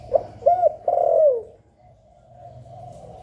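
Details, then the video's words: Spotted dove cooing in the 'giọng hạp bổi' style, played to stimulate kept doves: two short mellow notes, then a longer drawn-out, slightly falling coo. Quieter cooing follows, with a low hum beneath. "Tiếng Chim Cu Gáy Giọng Hạp Bổi CHIÊU THÚC BỔI. kích bổi nhanh nổi. chim cu gáy, cu đất gáy.cu cườm"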